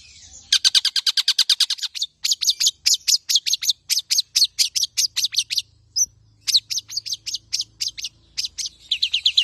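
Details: Tame long-tailed shrike delivering full, rapid-fire song to prompt and tutor other birds: quick bursts of sharp, high chattering notes in runs of several seconds, separated by short pauses.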